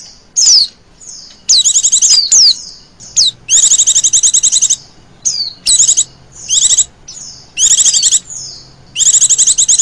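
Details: Female Oriental white-eye call serving as bird lure: scattered sharp descending whistles at first, then repeated high rapid trilled bursts of about half a second to a second, spaced by brief gaps.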